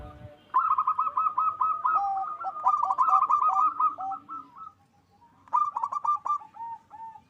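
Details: Zebra dove, a local perkutut bred in Bekasi, West Java, singing loudly to raise mating drive: a long run of rapid rolling coos with an undertone of lower notes, a short break, then a second shorter coo series.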